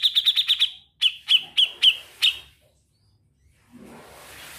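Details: Grey-cheeked bulbul in lively trilling song: five quick bright notes, then six slower emphatic ones about a quarter-second apart, followed by quiet and faint background noise.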